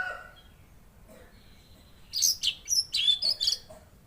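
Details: Mangrove blue flycatcher, known locally as tledekan laut, delivering a fast string of high, sharp whistled chirps, about seven notes in under two seconds.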